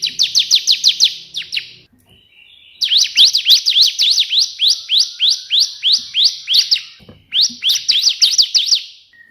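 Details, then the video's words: Lively 'tembakan' burst song from a bar-winged prinia, meant for tutoring: three series of sharp, quickly repeated downslurred notes, about three per second, separated by short pauses with a faint thin whistle. "burung ciblek gacor versi tembakan perenjak putih"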